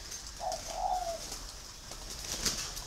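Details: A male pink-coloured spotted dove with red eyes and red feet gives two low, soft coos in quick succession, the second drawn out slightly longer, with a man speaking and faint background hiss; spotted dove.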